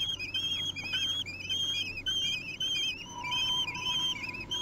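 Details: Kestrel nestlings aged three weeks beg at mealtime in Théding, France, on 8 June 2021, giving a rapid series of high, quavering whistled squeals, several chicks overlapping, with a steady low hum beneath.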